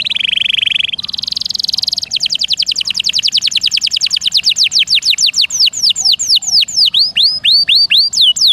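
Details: Canary song from a master recording for training songbirds, featuring long rolls and varied bursts: a buzzy roll, then a higher buzz, then a long run of rapid high descending sweeps that slow into wide hooked whistles.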